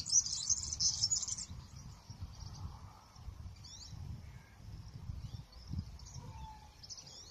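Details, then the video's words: European serins singing a lot in an olive tree on a countryside outing, with a goldfinch nearby: a rapid, high, jingling trill of about a second, then fainter twittering fragments over a steady low wind rumble. "ya habéis escuchado los verdecillos como cantan mucho"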